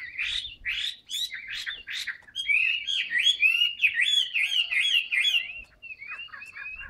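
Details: Caged Chinese hwamei in fresh plumage, tail fanned during a long-lasting song: several sharp rising notes, then a fast flowing sequence of bright looping whistles, ending in softer trailing slurs.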